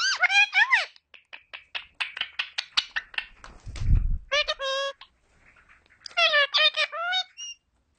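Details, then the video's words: Indian ringneck parakeet talking: strained, harmonic word-like syllables, then a quick train of clicking ticks, a brief low thump, and further bursts of mimicked chatter. "Indian Ring Neck Parrot Talking So Sweet"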